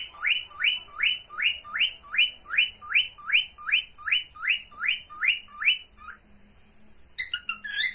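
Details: Cockatiel mating call from a pet bird: a regular string of sharp upswept whistles, about two and a half per second for six seconds, then a pause and a loud tangle of chirps.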